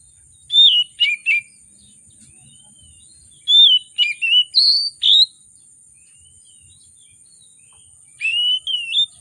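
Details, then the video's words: Kacer (oriental magpie-robin) in emotional lure song with rich fill: three separated bursts of quick whistled and slurred notes, some rising sharply, with silent gaps of two to three seconds and a constant high hiss. "Kacer Gacor, Kacer Emosi Memancing Kacer Sulit Bunyi, Kacer Isian Mewah"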